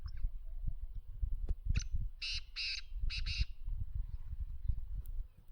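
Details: Black francolin (kala teetar) call outdoors: a brief sharp note, then a run of four harsh, grating bursts, heard over steady low wind or handling noise.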